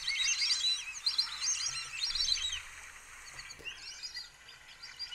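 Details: White-faced Whistling Ducks with chicks at Sonso Lagoon near Buga, Valle del Cauca, Colombia, in tropical dry forest: many overlapping high, thin whistles and peeps, thick for three seconds, then thinning to scattered notes.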